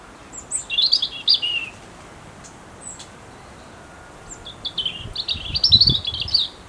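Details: Autumn song of a European robin, two bursts of high, tinkling, warbled phrases separated by a few seconds of quiet, the second phrase longer and more rapid; faint low rumble near the end.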